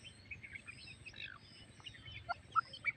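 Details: Partridge (titar) breeding pair with chicks, the female feeding them; soft scattered chirps and short squeaky notes, a few sharper notes near the end, over steady low background noise.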